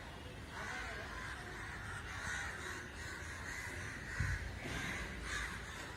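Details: Crows congregating in an unusual gathering; continuous harsh cawing from many birds forms a dense din, with a brief low knock near the fourth second over low background noise.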